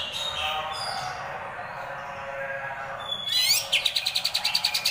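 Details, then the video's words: Greater green leafbird training recording with rolling, harsh besetan song: after a quiet noisy stretch, a sharp upward sweep leads into a fast roll of harsh repeated pulses. "masteran cucak ijo//ngerol besetan kasar"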